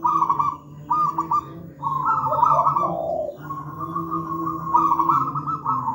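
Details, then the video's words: Zebra dove song from a local wild bird with a big, thick voice, used to teach young doves to sing; several phrases of fast, rolling coos, some stepping lower midway, over a continuous low hum. "Masteran burung perkutut manggung gacor"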